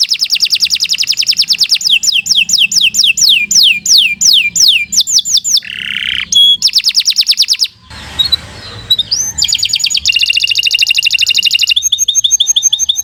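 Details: Domestic canary singing a long, continuous song meant as a master recording for training other birds: fast trills and repeated downward-sweeping whistled notes, a brief buzzy section near the middle, then rapid high trills to the end.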